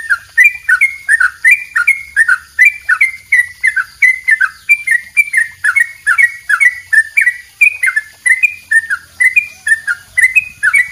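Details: Long double rapid song of a yellow-vented bulbul, recorded as a training master: an unbroken, even stream of short chirpy whistles, each with a quick downward twist, repeated steadily.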